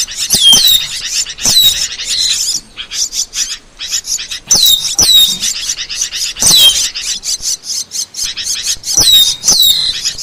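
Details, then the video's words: Asian glossy starling (cucak keling) song used as a training recording for songbirds: dense bursts of high chattering notes with sharp descending whistles and clicks, in phrases separated by brief pauses. "Masteran Burung | Cucak Keling"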